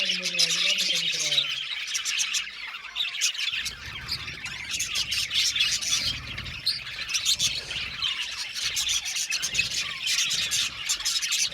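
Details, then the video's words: Budgerigar colony in an aviary: quick high chirps and chattering twitters from many birds, with a brief low humming tone at the start and soft rumbling underneath later. "Budgie amazing chirping sound | Budgies calling sound to make him happy"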